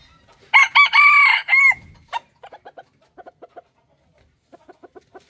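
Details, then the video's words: Male chicken giving a crow that displays territory to rival males and attracts hens: a loud drawn-out call of about a second with a slight rise and fall, followed by groups of short, evenly spaced clucks. "rooster crowing compilation"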